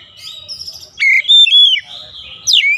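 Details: Oriental magpie-robin singing during daily training for a long rolling song: clear whistled phrases, some sliding and some held steady, broken by short gaps, with faint low background noise.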